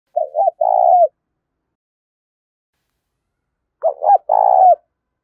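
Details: Spotted dove call used as a lure to make decoy birds respond quickly: two low, husky cooing phrases, each a quick stuttered double note followed by a longer drawn-out coo, about three and a half seconds apart, in silence.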